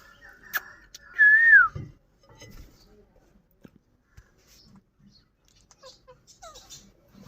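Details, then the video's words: Indian ring-necked parakeet giving a single loud whistled call that rises slightly, then slides down over about half a second, set in otherwise quiet indoor surroundings with faint clicks. "Nachral saound parrot indian Ring"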